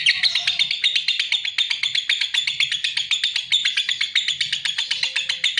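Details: Lovebird song: a dense, unbroken run of shrill, buzzy chirps repeated about four times a second, steady in pitch and loudness, with faint low thumps underneath.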